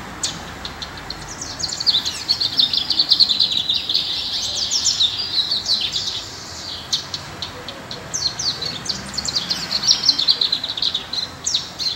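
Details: Lined seedeater singing, a long run of fast, high twittering and trilled notes that rises and falls in bursts, with a short pause near the middle before resuming.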